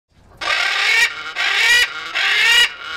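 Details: A stressed macaw screams three times at close range, each harsh, raspy squawk lasting about half a second to a second, loud with short gaps between.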